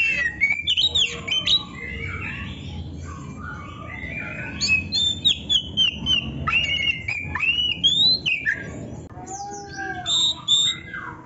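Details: Oriental magpie-robin song for songbird training: a continuous stream of varied whistled and slurred phrases, rising and falling, with faint low background hum.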